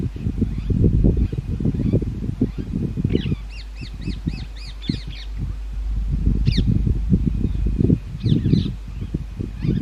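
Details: Breeding-season rose-ringed parakeets at railway-bridge nest holes give a quick run of repeated arched screeches, then single calls later, over heavy low rumbling wind or handling noise.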